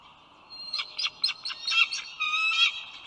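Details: Eagle at its nest on the Dulles Greenway eagle cam, the male arriving with a food delivery for his mate and their single eaglet: a bright, high piping chatter of rapid notes in quick bursts, with faint steady background hiss.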